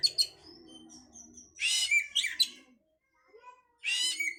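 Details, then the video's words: Oriental magpie-robin song played to stimulate breeding: quick high chips and a thin whistle, then loud rasping buzzy bursts, a pause of near silence, and another harsh burst; faint low murmuring early on. "pancingan suara Kacer untuk mendongkrak birahi"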